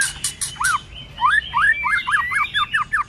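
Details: Fighting song of a White-rumped shama in the cold season, with clicking notes and tail-flicking: three sharp clicks, then a fast run of seven or eight downslurred whistles over a softer rising whistle.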